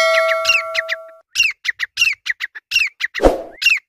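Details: Grey francolin voice, opening under a fading ringing tone, then a steady series of rising whistled notes, each phrase led by clicks and repeated roughly every half second.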